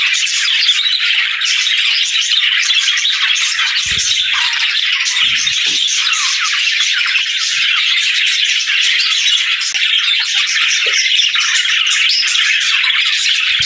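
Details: Budgerigars chirping and singing in a long, dense stream of bright twittering and rasping warble notes, many birds calling at once with scattered soft clicks.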